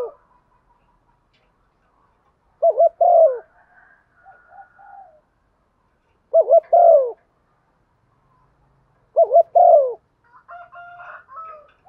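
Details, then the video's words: Female dove calling in the stormy rainy season to provoke males; three widely spaced phrases of low coos ending in a sliding note, with soft, higher distant cooing in the gaps. "chim cu mái kích trống mùa mùa mưa bão, anh em mở lên trống lỳ máy cũng gáy theo"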